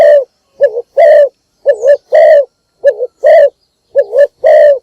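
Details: Spotted dove kept as a decoy bird, giving a morning call to draw in other doves: loud, hoarse two-part coos. A short wavering note is followed by a longer full coo, repeated about once a second, with no other sounds.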